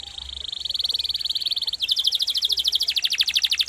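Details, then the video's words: Canary rolling song: a sustained shimmering high trill, then a faster, louder series of pulsed notes. "Masteran KENARI GACOR untuk Murai Batu, Cucak Ijo, dan Kacer"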